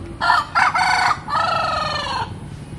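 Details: A rooster crows once: three short harsh opening notes, then a long drawn-out strained final note, the whole crow lasting about two seconds.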